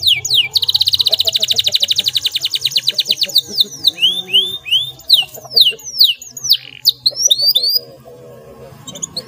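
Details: Canary in a prolific, clear rolling song meant to get mute canaries singing. A long rapid trill gives way to varied downslurred and upslurred whistled notes, and the song grows quieter toward the end.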